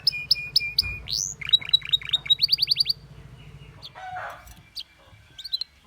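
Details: Singing canary with other canaries: evenly spaced chips, a rising sweep, a flat whistle and a quick burst of slurred notes, followed by softer scattered chirps and a little rustling.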